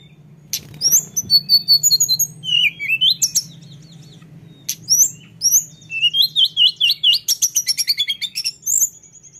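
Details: Lesser shortwing singing in a rolling style: high, rapid jumbled warble of whistled slurs and sharp chirps, two bursts separated by a short pause, with a faint low hum underneath.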